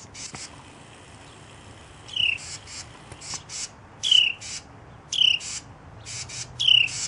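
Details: Carolina wrens protecting their nest in a canoe scold a chipmunk one afternoon: harsh, raspy bursts under half a second long at irregular intervals of one to two seconds, over a faint insect hum.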